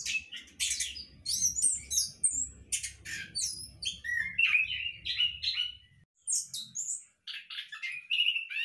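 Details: Orange-headed thrush bred in captivity in a hanging cage sings a long, varied sequence of sharp chips, slurred whistles and warbles. Phrases repeat about every half second, with brief gaps near the end. Low rumbling noise is heard for the first six seconds.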